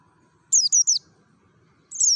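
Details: Merapi mountain white-eye singing ngalas, a lure meant to get other white-eyes singing: a fast triplet of shrill downslurred whistles, a short quiet gap, then one longer wavering high note.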